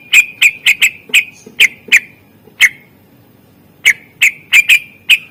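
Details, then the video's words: Isian fill-in song of a greater green leafbird, used as master training audio to coax silent birds into singing. Loud, sharp whistled notes are repeated in rapid irregular bursts, with a pause of over a second midway. "Cucak ijo gacor SUARA ISIAN masteran untuk pancingan burung yang malas bunyi"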